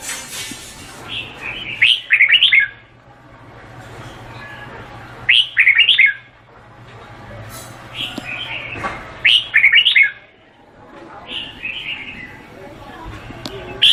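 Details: Vietnamese red-whiskered bulbul singing repeated loud phrases of liquid, fast-modulated whistles every three to four seconds, each preceded by softer warbling, with a constant low hum in the background.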